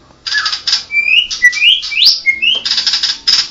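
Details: Blorok white-rumped shama from Medan: buzzy rasping bursts bracket a series of rising whistled slurs that climb higher with each note.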